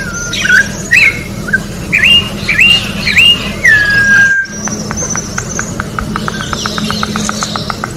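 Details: Orange-backed troupial singing in the wild: a series of fluty, looping whistled phrases, each rising and twisting, ending in a long falling slur, followed by rapid ticking pulses.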